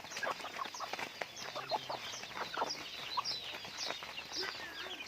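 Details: Raised pet chickens calling as a group: continuous shrill peeps and short chirps crowding over one another, mixed with soft clucking, steady throughout with no pauses.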